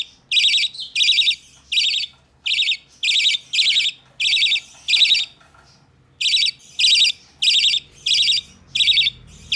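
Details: A hand-tame budgerigar chick, recorded 12 November 2020, repeats short, scratchy, buzzing calls in a fast train, pauses for about a second midway, then resumes with another burst of similar harsh calls.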